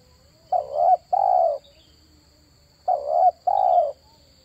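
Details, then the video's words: Spotted dove calling, played to lure wild doves: pairs of long, low, hollow coo notes, each swelling then fading, the pair repeated after a short pause, with a faint constant high-pitched whine behind. "SUARA PANGGILAN TERKUKUR TERBAIK 2023"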